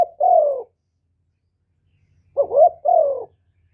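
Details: Continuous coo of a spotted dove kept to attract wild doves: a long falling note ends one phrase, then after a pause a fresh phrase of two short rising notes and a sliding, falling coo.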